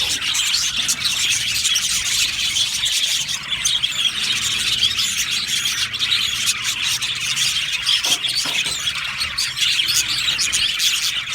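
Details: Contented budgerigar flock in an aviary, a constant high-pitched babble of chirps, clicks and warbles from numerous birds, steady in loudness from start to finish.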